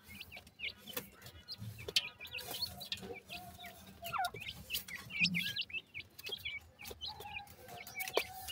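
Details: Grey francolin chicks calling to their mother at feeding time: many short, high peeping chirps, often hooked or rising, overlapping in a busy stream, with occasional soft low clucks and brief rustling knocks.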